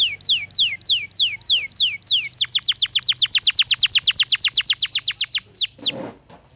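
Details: Canary singing loud falling whistles at a moderate pace, then a fast run of sharp downslurred notes, ending with a single sweep and a brief noisy thump.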